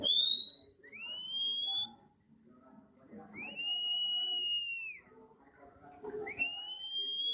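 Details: Untrained oriental magpie-robin, now singing regularly, gives a sequence of four drawn-out pure whistles, each sliding upward or arching over and dropping at the end, separated by short pauses, over low background murmur.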